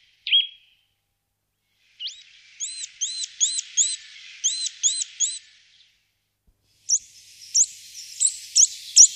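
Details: Eurasian nuthatch in the Wittlicher Tal, 2018: one sharp call, then a series of looping, rising-falling whistled notes repeated quickly, followed by higher, thinner squeaky notes.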